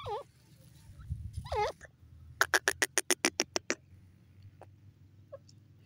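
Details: Grey francolin, the desi teetar, calling: a run of about ten sharp, evenly spaced clicking notes over roughly one and a half seconds, preceded by a few curved whistled slurs and low background rumble.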